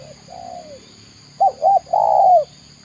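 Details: Spotted dove, called tekukur in Indonesia, cooing: a soft distant phrase answered by a loud close one of two quick hooked notes and a long sliding coo.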